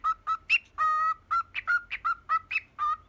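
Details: Pet cockatiel, ten years old, whistling "Poppippo": brisk, clipped notes repeated in a bouncy rhythm, one longer sustained note early on, occasional higher upturned notes, and a quiet indoor background.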